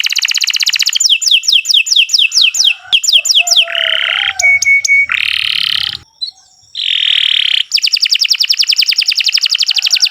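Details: Canary song for training other birds: trills and falling whistled notes, then harsh buzzy blocks and a clear whistled tone, a brief pause, and a long, fast, even trill to finish.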